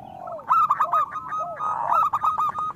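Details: Zebra doves, local type, singing to stimulate others: a rolling trilled coo held at one pitch with low curved notes underneath, several birds overlapping.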